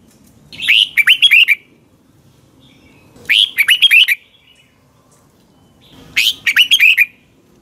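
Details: Red-whiskered bulbul morning song used as lure song in bird training. Three phrases of five or six bright, slurred whistles, each about a second long, repeated every two to three seconds over a faint hum.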